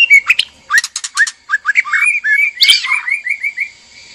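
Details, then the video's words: Male and female white-rumped shama together in a breeding cage, singing to stir mating: rich varied phrases of clear whistles, slurred rising and falling notes and sharp clicks, ending in a run of short repeated whistled notes. "PANCINGAN BIRAHI KAWIN MURAI BATU JANTAN DAN MURAI BATU BETINA DIKANDANG PENANGKARAN"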